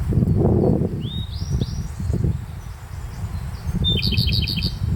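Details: Late-May song of a Japanese robin in a sunny bamboo-grass meadow at Kamikochi's Konashidaira: after a Grey bunting's rising whistled notes, the robin gives a sharp introductory note followed by a rapid high trill, with constant low rumble throughout.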